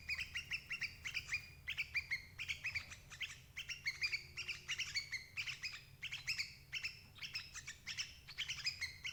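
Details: Sooty-headed bulbul calls for trapping adult birds: loud, rhythmic clusters of sharp chirping notes with short pauses between groups, over a faint low hum.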